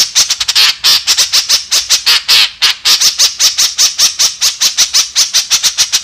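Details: White-breasted woodswallow, called kekep, in lively full-voiced calling: a fast run of harsh, squawky, buzzy notes, about one or two per second and often closer, high-pitched and rasping, continuing without pause across the whole stretch.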